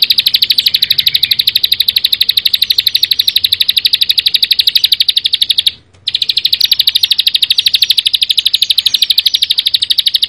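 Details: Bar-winged prinia singing actively in a dense, rapid style: a continuous high buzzy trill of sharp notes repeated about three per second, broken by one brief pause near the middle.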